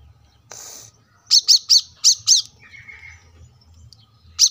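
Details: Brown-throated Sunbird singing steadily, recorded as a training tutor for cage birds at a roadside home: a brief hiss, then five sharp, high chirps in quick succession, a thin lower whistle, and one more chirp at the end.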